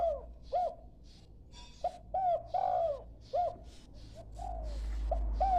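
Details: Young dove learning to call: short arched cooing notes, each slightly rising then falling, uttered in small bursts of one to three with pauses between, over a steady low hum.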